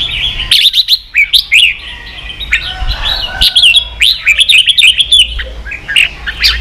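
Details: Red-whiskered bulbul kept as a cage bird, singing in a contest; fast, dense series of loud whistled and chirped notes in clustered bursts with brief quiet gaps.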